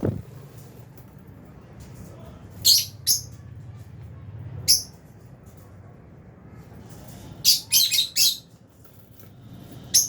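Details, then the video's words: Albino and Fisher's lovebirds in a colony aviary during feeding: scattered shrill chirps, a pair early on, a lone note, then a fast run of four clipped squeaks, against a low rumbling background. "Lovebirds Chirping Sounds"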